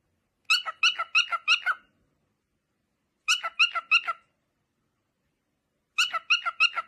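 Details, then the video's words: Parrot making funny noises: three bursts of about six quick, squeaky, harmonic-rich notes, each burst about a second long and separated by silent gaps of roughly two seconds. "Parrot Makes Funny Noises"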